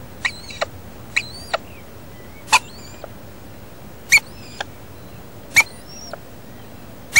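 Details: Wild rainbow lorikeets nesting in a house roof: a male arrives to feed his incubating female. Sharp, harsh screechy notes sound every second or so, mixed with thin, high, slurred whistles.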